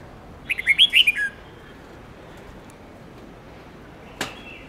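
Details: Red-whiskered bulbul song used to train young and white-cheeked bulbuls to learn long songs of 7 to 10 notes: one brisk warbled phrase of about six quick bright notes, followed by a lone sharp click over a faint steady hiss.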